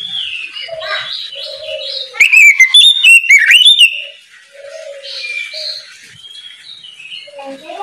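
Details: In the morning an oriental magpie-robin gives loud ngeplong song to draw other birds into singing. A short, intense burst of sharp whistled slides sits mid-clip, surrounded by quieter chirping and low whistled notes.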